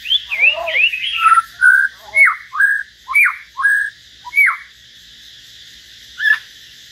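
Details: Common hill myna singing solo alongside a white-rumped shama: a rapid tumbling run of wavering whistles, then loud downslurred and flat whistled notes alternating at a steady pace before a single closing note.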